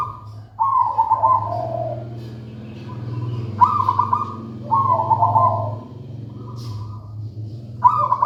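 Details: Zebra dove of local wild stock singing bubbling, trilled coo phrases that step from high to low pitch, over a steady low hum in the background.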